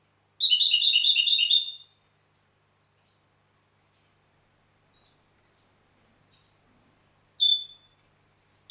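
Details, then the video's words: Red-rumped parakeet song from Heraklion, Crete: a burst of rapid warbling whistles for about a second and a half, then near silence with faint ticks, before two short whistled bursts start up again. "Red Rumped Parakeet - HERAKLION CRETE"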